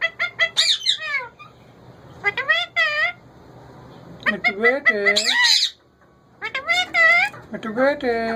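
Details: A male ringneck parrot kept as a pet speaks in rich, voice-like phrases with bending pitch, delivered in three or four bursts separated by brief pauses.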